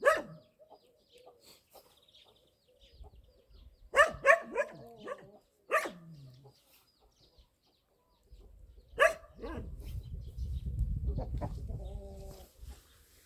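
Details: Chickens and roosters in a rural courtyard during rain give loud, abrupt clucks and squawks in separate bursts, with a low rumble later on.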